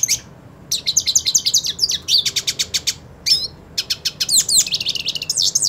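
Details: Song of a purebred hooded siskin spoiling for a fight with another: bursts of quick high chirps and rattling notes separated by brief pauses, ending in a rich tumbling twitter.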